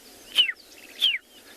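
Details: Male Scarlet-chested Sunbird in Tswalu Kalahari Reserve, South Africa, at sunrise on 8 December, fighting a sparrow sharing its nest tree, gives two sharp, high, downslurred notes about half a second apart, faint chirps from other birds behind.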